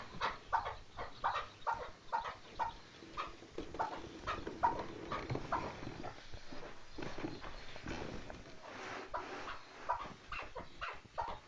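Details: Chukar partridge calling: loud, rhythmic clucking notes repeated about twice a second, becoming denser and overlapping midway, then returning to a steadier beat, over a faint background hiss.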